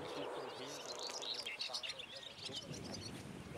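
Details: Barn swallows resting on a wire on Saltholm, Denmark, give soft, chattering twitters of quick high notes over a murmur of wind and low background noise.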